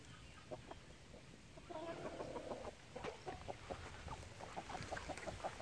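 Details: Light Brahma chickens clucking: a faint series of short, low clucks repeated several times per second, with a brief longer, buzzy note near the middle, over steady background hum.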